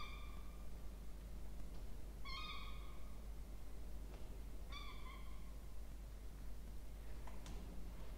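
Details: Two Peregrine falcon chicks being fed in a nest box on a water tower, Charles Sturt University, Orange, Australia, 20 October 2024. Harsh whining cries repeat roughly every two to two and a half seconds, with scattered clicks from the nest.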